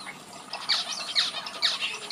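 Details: Red-whiskered bulbul singing and playing in a bird aviary: bright, chirpy warbled phrases sweeping down and up, repeated about every half second, with softer chirping from other birds behind.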